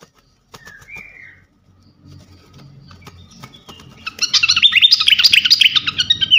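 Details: Fantail (srikatan kipas) champion bird singing for songbird training. Mostly quiet start with a couple of soft whistles, then the last two seconds burst into a loud, dense, buzzy chatter of rapid notes.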